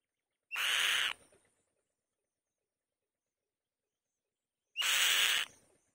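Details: Female white-tailed kite calling from the nest: two raspy, noisy screams roughly four seconds apart, each preceded by a short whistled upslur.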